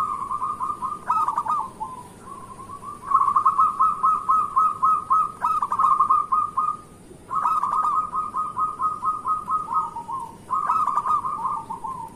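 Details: Local zebra dove, a very vocal singer, used as a morning lure so that other zebra doves start singing. Long rapid runs of soft, staccato, bubbling coo notes, each run ending in a lower trailing note, repeated about every three seconds.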